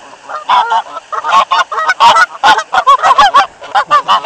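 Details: Several geese by a waterfall, fed bread on a cold late-February day in 2013, honk loudly in quick, irregular bursts of harsh nasal notes, more than one per second, with the calls overlapping.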